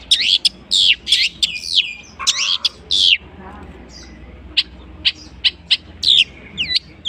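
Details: Long-tailed shrike with a rich repertoire of borrowed bird sounds: loud harsh chattering and buzzy whistles in the first three seconds, then spaced thin high chirps and slurred whistles.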